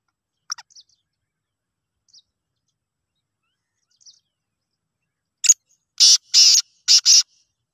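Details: Black francolin calling: a few faint ticks, then near the end a loud, harsh phrase of four grating, broadband notes delivered in quick rhythm, with silence between.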